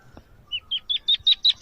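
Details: A newly hatched, egg-sized partridge chick on leaves among greenery, unaware of the camera, gives six short, high chirps about every fifth of a second, each slightly louder and higher than the last.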